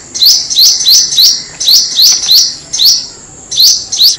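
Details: A Black-throated Sunbird, in a clean recording meant as a lure call, gives a quick series of high, thin, sibilant chips, grouped in bursts of three or four notes about three per second, with no other sounds.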